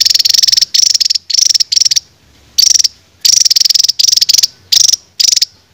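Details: Songbird recording used as training material for cage birds: loud, rapid buzzy trills at high pitch, in bursts of about half a second separated by brief silences, roughly nine bursts in under six seconds.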